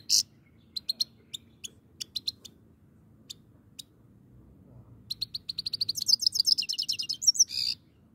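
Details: Grey-crowned goldfinch: a string of thin high ticks and chirps, then a fast, rising, tinkling twittered trill ending in a buzzy note.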